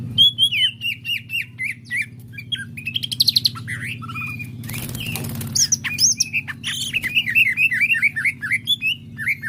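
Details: Greater green leafbird singing lively low down while staying quiet higher up: a rapid, varied jumble of sharp chirps, whistled slurs and squeaky notes, some quick descending series, over a steady low hum, with a brief noisy burst midway.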